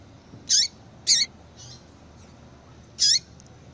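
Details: ['Sharp, high chip calls from a female Yellow-bellied Seedeater, used to bring a male into breeding condition: two quick notes half a second apart, then another after a pause, with a soft hiss behind.']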